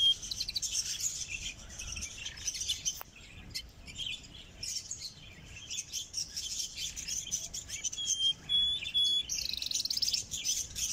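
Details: Canary singing in close-up, recorded in North Rhine-Westphalia, Germany: a continuous high twittering, fast buzzy trills and chirps with a few clear piping notes near the end.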